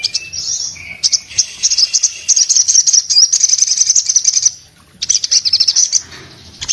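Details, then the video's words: Vigorous singing from an orange-headed thrush in breeding condition: low-pitched whistles at first, then a long run of quick high trilling chatter, a short silence, and another burst. "sogon gacor nembak buka paruh bikin SOGON lainnya jadi bunyi"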